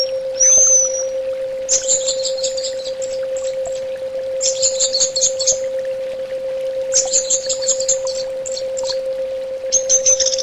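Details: Orange-headed thrush singing: one high whistled slur, then bursts of rapid, scratchy, very high twittering, each lasting about a second and coming every two to three seconds, with a constant low hum beneath.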